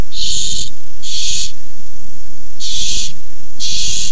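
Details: Harsh breathy hisses from barn owls squabbling over a tiny mouse, recorded 6-4-15. Four rasping bursts come in two pairs separated by a short pause, over faint bumping noises.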